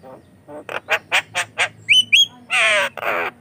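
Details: Javan myna, a lively singer used to draw other mynas, utters a run of nasal chattering notes, two clear whistles, then long scratchy grating bursts.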